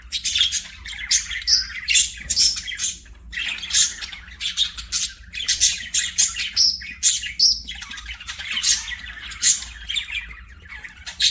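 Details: Budgies singing while playing: quick chirps, squeaky whistles and scratchy warbled phrases strung together in a lively, continuous, uneven patter.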